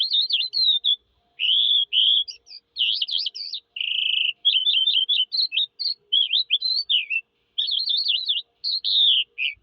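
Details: Eurasian skylark song, an unbroken, fast-changing stream of high warbles, buzzy trills and short whistled notes with only tiny gaps between phrases; background otherwise silent.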